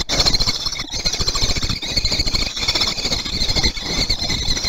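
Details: Common kestrel at a nest in Théding on 18 June 2020 as an adult delivers a lizard: a loud, continuous high squealing that wavers in strength throughout, over low rumbling background noise.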